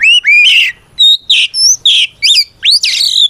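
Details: Oriental magpie-robin giving a loud 'ngeplong' fighting song, used to goad other magpie-robins into answering: a run of clear whistled notes, rising slurs and buzzy bursts, each phrase separated by short gaps.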